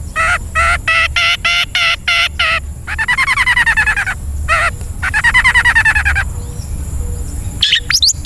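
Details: Long-tailed shrike (cendet) training recording for caged birds, loud harsh repeated notes in fast bursts, then rapid buzzy warbling trills with stacked harmonics, another burst of clipped notes, and steady hum underneath.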